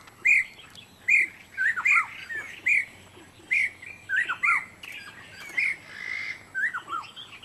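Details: Black-necklaced scimitar babbler from Taiwan, recorded July 2011 at Dagangshan. Loud, ringing notes repeat about once a second. Some notes are paired with lower downward-sliding whistles, like a rapid back-and-forth exchange.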